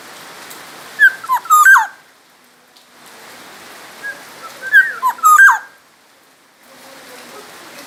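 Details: Two matching bursts of rich, fluty whistling from an actively singing Black-naped oriole from Sumbawa, about four seconds apart, each a rapid run of dipping notes, with hiss between phrases.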